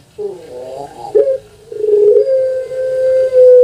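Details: Puter pelung dove, a caged bird from Java, Indonesia, prized for its long voice: a wavering broken opening phrase, a brief hoot, then a long even sustained coo that runs to the end.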